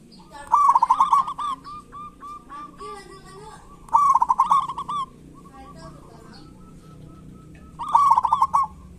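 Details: Local zebra dove singing in kerot and bekur styles, used as a lure to stir quiet doves: three bursts of stuttering, rolling coos near the same pitch, each about a second long, separated by softer single coos.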